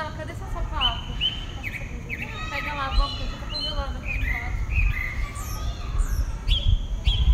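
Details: Single pale-breasted thrush singing a dawn song in southeastern Brazil: varied whistled phrases, some rising and some slurred downward, delivered in quick succession, with a few higher thin notes and a steady low rumble underneath.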